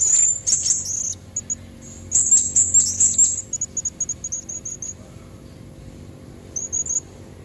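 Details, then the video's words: Blue-crowned hanging parrot, a female whose call is used to draw in red-throated males: shrill, high-pitched chips clustered early, then a run of short evenly spaced squeaks, with sparse notes near the end. "Suara serindit betina buat pancingan jantan leher merah"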